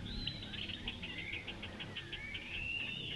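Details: Italian sparrow calling: a rapid, steady run of short, high chirps, about four or five each second, with a thin whistled tone gliding underneath and a low rumble of background noise throughout.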